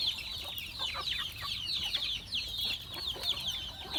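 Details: Chickens being fed on a farm call in a crowded chorus of high, quick chirps and peeps, steady throughout with a few lower clucking notes.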